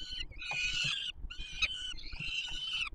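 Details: Hungry peregrine falcon young at a Warsaw nest site on the Palace of Culture and Science, 7 July 2022, being fed by a parent. Three loud, grating screeches follow one another, each roughly half a second to a second long.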